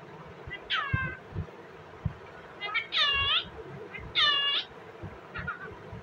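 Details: Indian ringneck parakeet calling: harsh, nasal, downward-sloping squawks with rich harmonics, three longer ones about a second apart plus a fainter one, over a low background hum with thumps.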